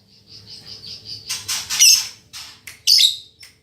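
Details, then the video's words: Female lovebird described as a fighter with a strong, continuous song: a short string of soft repeated high notes, then loud rasping, buzzy squeals and a sharp final chirp. "Suara Burung Lovebird Betina Fighter"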